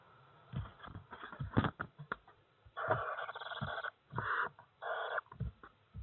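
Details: Barn owl owlets giving harsh, breathy hissing screeches in three bursts of about half a second to one second each, mixed with low thumps and rustling.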